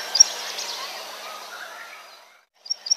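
Plain Prinia giving a few short, sharp, high chirps, one near the start and a quick pair at the end, over a steady hiss of background noise.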